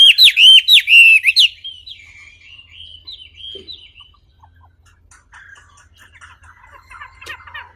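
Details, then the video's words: Wambi bird song: a loud burst of rapid, rolling whistled notes for about a second and a half, then thin, faint twitters fading into quiet background. "Kicau Burung Wambi Jernih"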